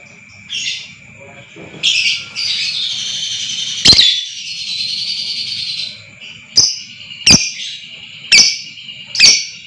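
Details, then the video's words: Lovebird long trill (ngekek panjang), played as a lure to stir other lovebirds: sharp chirps, then a sustained buzzy, rattling high trill lasting about three seconds, followed by several harsh sharp chirps over a steady high hum. "lb AKAN TERPANCING NGEKEK PANJANG,DAN GACOR Dengar Suara ini Super Ampuh Naikan Emosi Lovebird Pakum"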